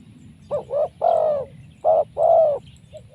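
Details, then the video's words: Wild spotted dove caught by trapping, giving a loud, powerful call: short rising coo followed by a long drawn coo, repeated twice, each phrase a pair of hollow notes; low rumbling background. "Mikat Tekukur,, Suara BL ini powernya sangat kuat.. bikin deg-degkan...."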